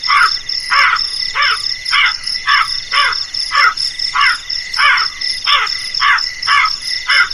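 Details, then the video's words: Crow giving harsh, hoarse caws repeated steadily about every 0.6 seconds, roughly a dozen in a row, over a constant high, shrill insect buzz in the background. "suara burung gagak yg menakutkan"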